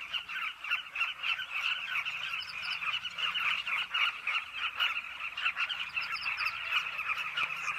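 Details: A dense chorus of Carmine bee-eaters at a cliff nesting colony near a river bank, with many overlapping rolling, throaty calls blending into a steady mid-pitched chatter that never lets up.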